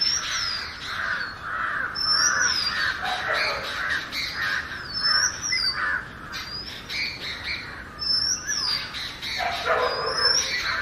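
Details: Oriental magpie-robin singing naturally, a varied run of clear high whistled notes, some sliding down, mixed with harsher buzzy chattering phrases in continuous flowing song.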